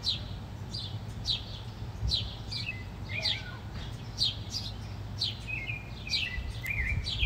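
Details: Busy chirping from fighting house sparrows: quick falling notes mixed with short wavering twitters, continuing without pause over a low hum.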